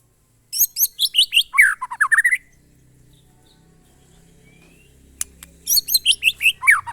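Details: White-rumped shama delivering the monotonous song style known locally as glondong: two bursts of fast, clear whistled notes sliding downward, separated by a few seconds of near silence with a faint low hum.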